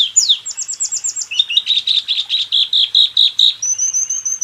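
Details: Training recording of white-eye song for caged birds: a quick series of high chirps, then a dense buzzy trill of repeated notes, ending in a thin sustained whistled note.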